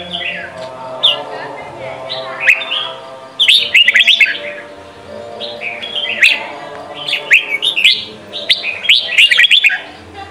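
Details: Young-bird training song of a red-whiskered bulbul, Sông Kon style: repeated bubbly phrases of fast, rising and falling chirps, arriving in bursts every one to two seconds over a soft background hum and distant twitters.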